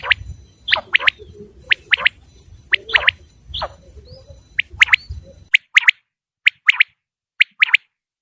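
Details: Common quail call from Pakistan, used as a hunting lure: sharp, liquid chirps in quick pairs and triplets at an uneven pace, while a low background rumble fades out partway.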